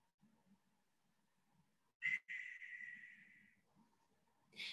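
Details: Barn owl (Tyto alba) gives an eerie, harsh, raspy, hissing screech lasting about a second and a half, with the start of another at the end, over a low hum.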